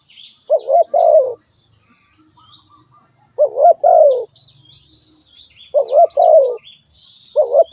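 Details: Spotted dove calling in unhurried phrases, three full ones plus a cut-off fourth, each a quick wobbly coo then a longer falling croo. Scattered high bird chirps and a steady shrill insect whine underneath.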